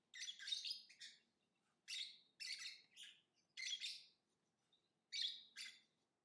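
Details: Lovebird calls: four groups of scratchy, high, buzzy chirps, each group of two or three quick notes, separated by pauses of roughly a second, over a faint low hum.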